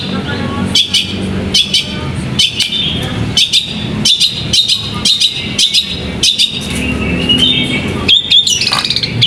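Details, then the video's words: Caged competition songbird, raised and trained for bird singing contests, giving bright high chirps in short bursts roughly every second, over a low rumbling background hum. "Peaceful Bird Chirping Sounds"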